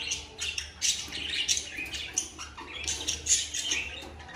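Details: Cockatiel pair in breeding mood giving mating calls: rapid, raspy squawks and shrill chirps tumbling one after another, some with bright whistled peaks, continuous over a soft low hum.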